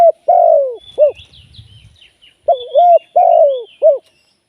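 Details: Live decoy Spotted dove for trapping, cooing two three-note phrases: a drawn-out falling coo followed by a short clipped note. There is a low rumble between them, and high chirps from small birds.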